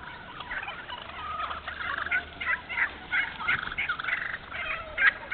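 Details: Wild turkeys calling in a thinned hardwood stand in Moore County, North Carolina. Scattered short raspy notes and yelps, irregular and fairly soft, over a hissy background.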